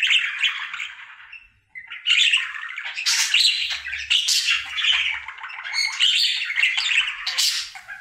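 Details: Male pet budgerigar singing his daily routine: a brief pause, then dense rapid chatter of clicks, squeaky chirps and raspy phrases running without break to the end.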